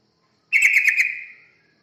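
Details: Yellow-vented bulbul song played as a lure to draw birds in. A single bubbly, rapidly pulsed phrase of about one second starts bright and trails off into a fading tail, with silence before it.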